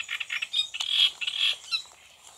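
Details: Great reed warbler (Acrocephalus arundinaceus) song, recorded in June the day after a first sighting at a different site: loud, harsh, croaking chatter of rapid grating notes in short bursts, fading into quieter scratchy notes near the end.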